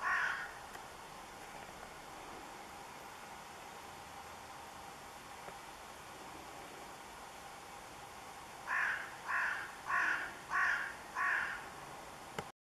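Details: A carrion crow calling in Kerk en Zanen gives a faint caw at the start, then five harsh, raspy caws in quick succession near the end, about two per second; otherwise quiet.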